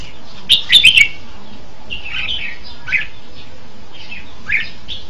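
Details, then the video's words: Red-whiskered bulbul song: a loud, clicky, chattering warble followed by a few softer, scattered slurred whistles. "Tiếng chim chao mào hay hay nhất 2015"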